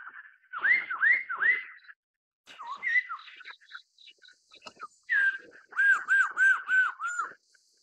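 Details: Black-throated laughingthrush singing loud, clear whistles: a few looping upslurred notes, a short pause with softer scratchy notes, then a quick run of five evenly spaced arched whistles.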